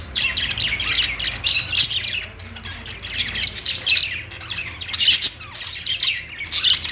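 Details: Several bursts of budgerigar warbling from birds on a perch, scratchy chirps and buzzy squeaks rising and falling in waves about every second, over a soft low hum.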